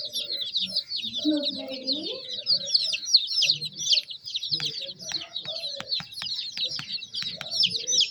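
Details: Several young domestic chicks keep up a continuous stream of high-pitched chirps, overlapping peeps with no pause, along with faint low clucky murmurs and sharp clicks.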